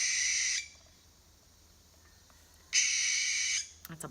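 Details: A Barn Owl (Tyto alba) gives two long, harsh, hissing screeches, each under a second and about two seconds apart, with a few faint knocks at the end.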